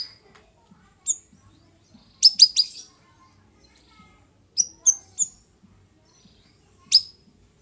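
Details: Straw-headed bulbul calling in the afternoon, scattered sharp whistled notes and a quick cluster of three or four loud bright notes, with brief pauses of silence between bursts.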